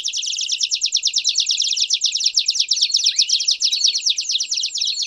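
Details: Canary performing campainha song with piados to train young birds: steady fast pulsed trill, evenly repeated notes, with a single rising peep partway through and faint whistled overtones.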